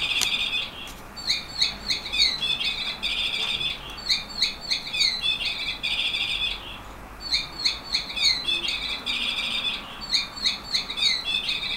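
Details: A 15-year-old yellow canary sings a bright, high song of rolling trills and sweet twittering phrases, repeated in bursts of a second or two with brief pauses.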